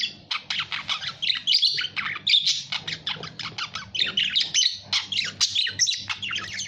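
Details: Budgerigar squawking and chirping in quick succession, a steady scratchy warble of short harsh notes with few pauses, over a faint low hum.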